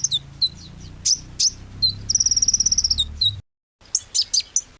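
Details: Small sunbird, known locally as kolibri ninja, singing sweetly: sharp high descending chirps, then a rapid buzzy trill of even notes for about a second, a brief cut, and more quick high chirps.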